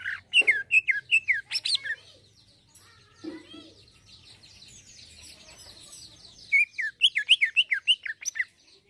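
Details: Greater green leafbird singing actively, an 'isian halus' fine fill-in song: bursts of rapid, bright whistled notes sweeping down and up, a softer twittering passage between them, then another quick run of looping whistles.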